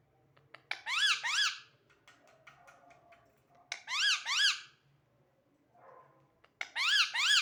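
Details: Parrot whistling clear, rising-and-falling tonal notes in quick pairs, three bursts about three seconds apart, in a quiet indoor setting with faint clicks between.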